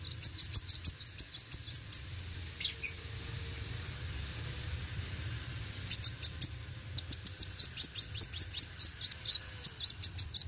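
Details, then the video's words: Brown-throated Sunbird, locally kolibri wuling, in rapid 'gacor roll tembak' song. Machine-gun runs of shrill high ticks open and close the passage, with a softer pause and a few faint notes between, over a steady low drone. "Kolibri Wuling Gacor Roll tembak"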